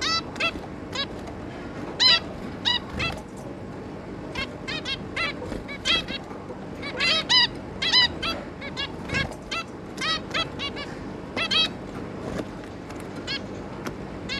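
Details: Adult zebra finch pair with three juvenile offspring, recorded 11 May 2022: a steady scatter of short, fairly quiet nasal beeps from several birds over fourteen seconds, with a low background hum.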